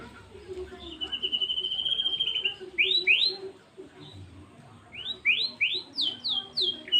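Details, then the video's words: White-rumped shama (murai batu) in 'tembakan' song bursts: a long buzzy level trill, then loud rising whistled notes in quick pairs and triplets, with faint background murmur. "murai batu tembakan mewah"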